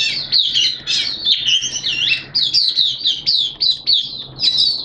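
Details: Caged Oriental white-eye (mata puteh) singing, 11 September 2022, wet erratic weather: fast, high warbling chatter of squeaky notes, loud and steady, then a run of short, evenly spaced chirps.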